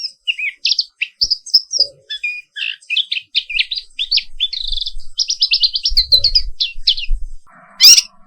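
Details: Papuan wiklus black-capped white-eye in morning song: long rolling series of rapid, high chirps and twitters, with a few low knocks and a loud shrill note at the close.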